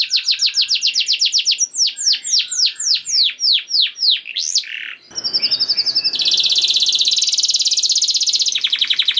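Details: Canary song used to prompt other canaries into song: repeated sharp downslurred notes at a quick pace, then a short pause and a long, loud buzzy trill held steady to the end.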